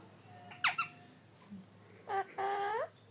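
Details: Parrot vocalizing indoors: a short bright rising-falling call, a brief pause, then two longer harmonic calls that rise in pitch near the end.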